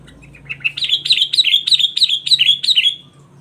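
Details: A chatty, deep-voiced Sooty-headed Bulbul sings a quick run of about eight bright slurred chirps, each dipping in pitch, over a faint low hum.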